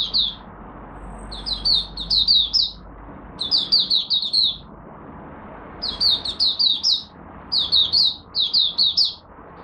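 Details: Caged Malaysian oriental white-eye in its morning warm-up, singing clusters of rapid, high, downslurred twittering notes, four to six per phrase, with short gaps between phrases. A faint low hum sits underneath.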